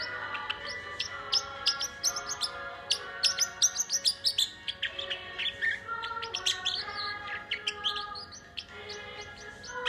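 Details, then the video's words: A parrotlet sings along to the Disney song "It's a Small World," giving rapid, sharp, high tweets and short squeaky notes over a tinkling music-box melody. "Bird Sings Along"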